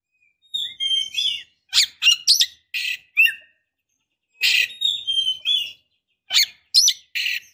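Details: Female white-rumped shama in breeding condition calling to lure a male into answering. Thin whistled notes, one long rising, lead into clusters of harsh, scratchy chattering bursts in two bouts split by a second of silence.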